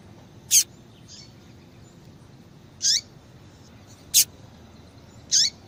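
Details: Female double-collared seedeater calling, used to prompt singing in males: four crisp chips roughly every one to two seconds, alternating plain clicks and notes that drop quickly in pitch, over a faint background.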